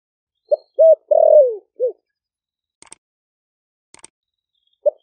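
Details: One four-part low coo from a caged spotted dove, wild-caught, four months caged, Ninh Thuận, Vietnam, in the 'thổ sấm' voice meant to call doves: short, short, long descending, short, followed by faint clicks and the start of another coo.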